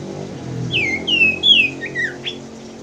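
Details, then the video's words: Common Iora song from a lure recording meant to prompt birds that have stopped singing: a short series of bright, slurred notes sweeping downward, some with a buzzy edge, over a faint low hum. "pancingan sirtu macet bunyi & malas bunyi"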